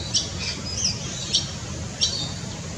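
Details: Forest kingfisher, a small blue, white and turquoise Australian kingfisher: four harsh, scratchy high notes spaced about half a second apart, some with a short downward slur, over faint low background noise.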